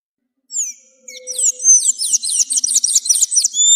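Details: Sayaca tanager song used for teaching birds: a fast run of thin, high, squeaky upslurred notes repeated in quick succession after a few scattered opening chirps.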